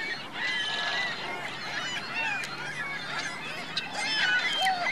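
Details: A flock of geese with goslings on Virginia Lake in Reno, calling in quick irregular succession; raspy honks blend with thin, higher squeaks, plus a steady low hum running underneath.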